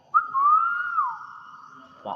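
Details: A single hill myna whistle: a quick upward flick, then a long, steady, clear tone that gently wavers and fades. A brief rustle sounds at the end.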